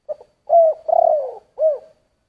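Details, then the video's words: A spotted dove delivers one complete giọng thổ coo phrase: a quick soft note, a loud held coo, a long vibrating coo falling in pitch, then a final arched coo. Deep, hollow tones with no background noise. "Tiếng chim cu gáy giọng thổ"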